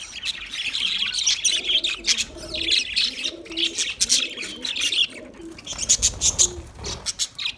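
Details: Budgerigar chatter: many quick, high chirps and sharp squeaks tumble over one another, with soft lower warbles and a few louder clicking notes near the end.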